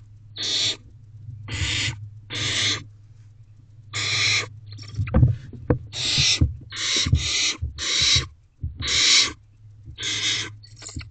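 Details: Several barn owl owlets huddling in a nest box late at night, giving repeated harsh noisy hisses, each under a second, about one per second with some overlapping and irregular gaps, over a steady low hum and soft shuffling.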